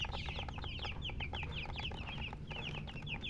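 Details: Baby chicks give clear, separate high peeps, each a quick down-slurred note repeated rapidly. Several chicks call in turn over a low hum.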